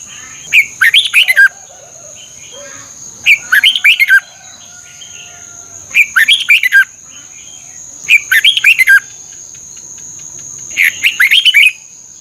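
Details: Red-whiskered bulbul song from Thailand, played to train caged birds: short bright warbled phrases of four or five rising and falling whistled notes, repeated about every two and a half seconds, with a steady high electronic tone throughout.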